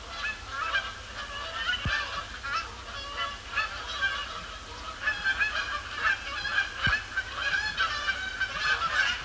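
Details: Canada Geese arriving at Sapsucker Woods Pond, Cornell Lab of Ornithology, after sunset on Thursday, 12 October 2017, overcast; crowded honking chorus, with bursts growing louder toward the middle and end.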